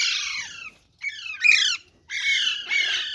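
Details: Caged parrots in a group produce three harsh, buzzy squawk bursts within about three seconds, each rough and noisy with a slight downward slide, separated by brief silences.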